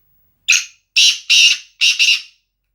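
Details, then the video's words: Black francolin male, Sindhi nasal kala teetar type used for training, giving one grating phrase of about five rasping notes. The first note is shorter and the later ones run closely together. The background is quiet. "Sindhi nasal kala teetar"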